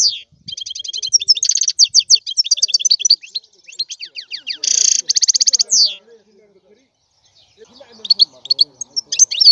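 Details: European goldfinch delivering long, jangling phrases of quick, high trilled notes and descending buzzy sweeps, then a quiet gap before a fresh twittered burst.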